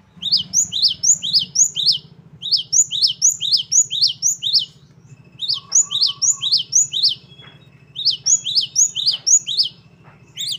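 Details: Great tit singing fast rolling phrases of crisp upswept notes, about four per second, broken into bursts with brief pauses and a steady thin whistle between. Constant low hum behind.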